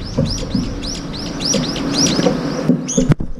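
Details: Brown-eared bulbuls crowding in for a morning meal, some fighting over food. A fast series of short, high, arching chirps repeated about four times a second, ending in a sharp click.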